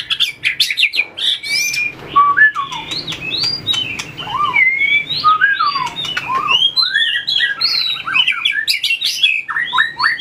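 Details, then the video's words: Competition-style song of a White-rumped shama being trained, tail-flicking as it moves along its perches; rich, varied whistled phrases with steep up-and-down slurs, mixed with crisp clicks, continuous for about ten seconds. "luyện chòe lửa hót đấu,đập đuôi chạy cầu | murai batu"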